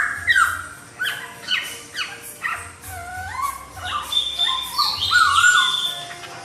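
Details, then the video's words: Laughingthrush giving a melodious song that makes a lazy laughingthrush answer: fast runs of falling whistled notes, then wavering and rising phrases, with a faint low hum pulsing underneath. "KICAUAN POKSAY YG MERDU MEMBUAT POKSAY LAIN LANGSUNG NYAUT"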